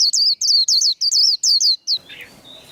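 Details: 'Líu' fighting song of a white-eye, used to stir up other birds for a singing contest: about eight rapid, high, looping whistled notes in quick succession, then stopping abruptly into faint background noise.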